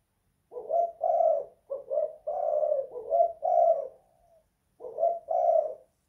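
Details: Kuk 2 / guk 1 style song of a spotted dove indoors: a run of hoarse, rolling coos linked into a longer phrase, a soft trailing note, a pause, then two more coos.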